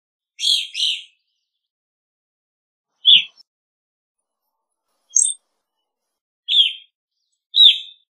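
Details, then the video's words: Evening grosbeak (Coccothraustes vespertinus) giving short, burry, high chirps: a quick pair, then single notes every one to two seconds, over a quiet background. "Evening Grosbeak Singing, Grosbeak Calling"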